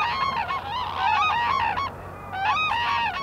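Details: Black-necked cranes (Grus nigricollis), an endangered species, foraging in Phobjikha Valley, Bhutan, a wintering area: several birds give loud, honking trumpet calls, overlapping in bursts with a brief lull midway, over a faint low hum.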